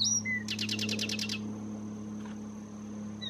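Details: Zapata wren singing in Zapata Swamp National Park, Cuba: a rapid burst of about eight buzzy repeated notes, preceded by a high whistled slur, with a steady low hum and a constant high tone in the background.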